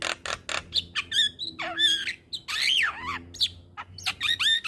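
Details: Javan myna master song for young birds: quick clicks leading into wavering, slurred whistles and long raspy, warbling phrases with sweeping pitch.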